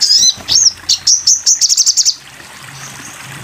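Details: Sogon bird in a masteran (tutor) recording: a string of very high, slurred whistled notes that speed up into a quick buzzy trill, then a pause.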